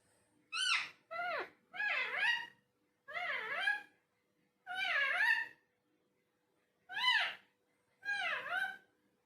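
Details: Talking parrot producing a series of seven nasal, meow-like wails, each bending down then up in pitch, spaced by short pauses in a quiet room.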